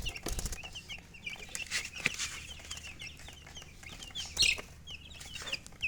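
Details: Chicken giving soft, high peeps in quick runs, fainter and less regular, with scattered knocks and rustling.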